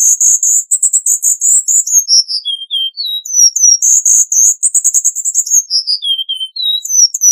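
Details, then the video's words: Cuban bullfinch singing a continuous high song: rapid trilled notes at very high pitch, stepping down through descending slurred whistles, then the pattern restarting, with almost no pause. "Negrito Cubano Cantando - Cuban Bullfinch Singing"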